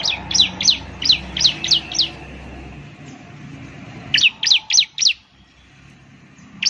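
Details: Ciblek (prinia) song used as a lure to get birds singing vigorously: sharp, high, sweeping chirps in a quick run of about seven notes, a two-second pause, then four more notes, over a faint low hum.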